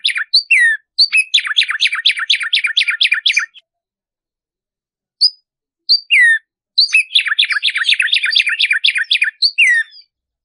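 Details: Tumba yegua (Black-striped Sparrow) song for teaching singing: two long runs of rapid repeated down-slurred notes, each followed by falling whistles, with a brief gap of lone chips between. Clean recording.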